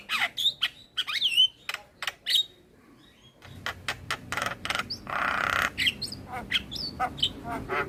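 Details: Adult male Javan myna song for training a young bird: clipped squawks and swooping whistles, a short pause, then a noisy rasping stretch followed by more sharp notes and whistles.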